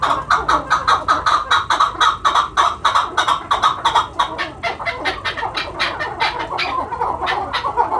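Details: Chukar partridge at a farm in Quetta, calling in a loud, rapid series of clucking chuk notes, repeated several times a second over eight seconds, with other birds' voices overlapping.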